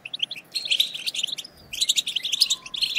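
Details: Twittering European goldfinches, a chorus to stimulate other goldfinches: short bursts of bright, rapid, high notes separated by brief gaps.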